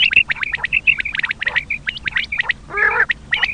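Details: Common quail sound for hunters' luring: dense bright chirps in rapid bursts, broken by one longer nasal squawk before the chirping resumes.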